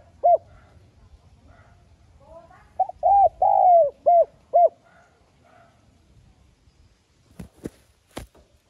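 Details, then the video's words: Spotted dove lure call, played to make doves coo: a series of clear, mellow hooting coos, one long drawn note among shorter ones, followed by a few sharp clicks and knocks near the end. "Tiếng Cu Gáy Mồi GỌI THÚC NHẸ GIỌNG"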